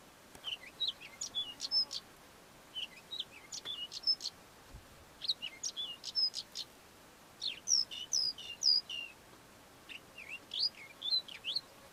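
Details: A Melodious lark, a southern African lark, sings quick, high bursts of varied chirps, trills and whistled slurs that mimic local bird species, in short phrases with brief pauses between.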